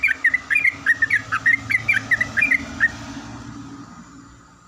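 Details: Yellow-vented bulbul in the morning, replying to another bulbul: a quick series of bright, bubbling chirped notes for about three seconds, then only a low background rumble.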